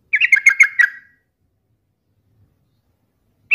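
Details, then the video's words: Short burst of a yellow-vented bulbul's challenging song, used to stir other bulbuls to answer angrily: a quick jumble of five or six bubbly chattered notes, then silence and the start of another phrase. "7 macam TOP SUARA trucukan gacor seperti ini dijamin bikin trucuk manapun nyaut emosi ngamuk"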